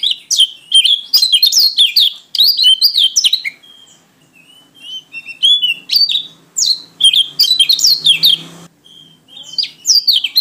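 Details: Pleci white-eye from Lombok/NTT, Indonesia, singing gacor ngalas: dense bursts of high, rapid twittering and slurred whistles. They run for a couple of seconds, pause briefly, then resume, with a soft low rumble at one point.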